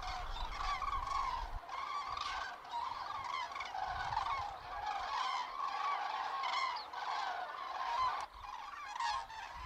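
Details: A flock of common cranes on autumn migration over the Lahn-Dill district, central Hesse, Germany, 31 October 2022, in poor weather, calls continuously with overlapping loud trumpeting and bugling in a steady chorus.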